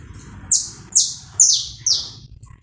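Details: Saffron finch sung live, uncut, to stimulate another bird: four bright, harsh notes about half a second apart, each sweeping steeply down from very high pitch, over a low background hum.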